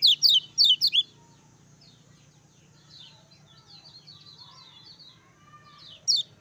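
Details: Lemon-bellied white-eye (kecial kuning) used as master song to rouse other birds: three loud, sharp descending chirps at the start, soft distant twittering in between, and one more strong chirp near the end.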